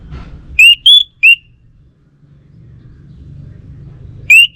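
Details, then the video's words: Orange-headed thrush singing: a three-note whistled phrase with the middle note highest, then a pause of about three seconds before the next phrase starts. "Sekali Dengar Burung ANIS MERAH Lansung Nyaut Gacor Tanpa Henti"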